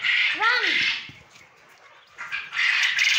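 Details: Farmed male quail in Punjab, Pakistan, calling in two rasping bursts separated by about a second of near silence, with a brief sliding, tonal arc of sound at the start of the first burst.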